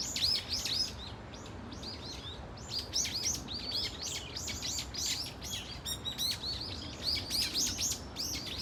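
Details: A flock of brown-eared bulbuls at Dunsan Grand Park calling in a dense, overlapping chatter of sharp, high squeaky notes, many short rising-and-falling chirps repeated rapidly with no clear rhythm, over faint low background noise.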